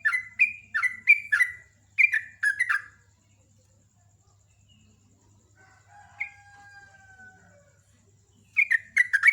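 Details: Sooty-headed bulbul pouring out fast, loud chirped phrases of slurred bubbly notes. A rooster crows in the pause, then the bulbul bursts back into rapid chattering.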